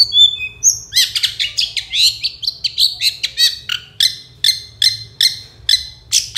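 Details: Long-tailed shrike, master recording for songbird training, 'gacor dor konslet' style: a few thin whistles, then a steady series of harsh scratchy notes, about two per second, each a short grating burst.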